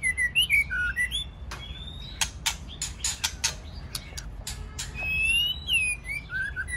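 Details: White-rumped shama male giving harsh 'tạch' song with a female singing, used to stimulate singing: clear whistled slurred phrases open and close, between them a run of loud broadband rasping bursts, about three per second.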